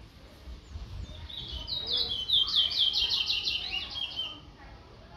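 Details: Guyanese chestnut-bellied seed finch (towa towa) delivering a loud, fast series of high sweeping, twittering notes that swell mid-phrase and fade out, with faint low background noise.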